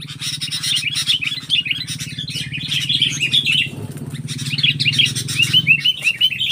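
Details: Sooty-headed bulbul facing a stubborn wild bulbul: bursts of short, chirpy, bubbling notes, with a steady low hum and brief broadband clicks throughout.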